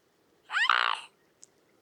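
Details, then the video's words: Mute swan recorded in the wild, giving a single hoarse, nasal honk lasting about half a second. The honk rises briefly at the start and is followed by a faint click. There is no other noise. "Mute Swan Sound – Song & Bird Calls"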